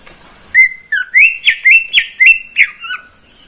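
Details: Greater green leafbird in a neighbour's cage, singing in the morning: a varied string of whistled notes, some level, some rising and falling, roughly nine phrases in three seconds.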